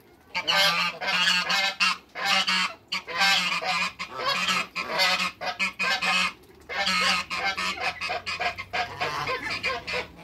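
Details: In a backyard, two male and one female African geese pursue waterbirds, giving a continuous stream of loud, raucous honks in rapid irregular bursts, with a low droning hum in the latter part.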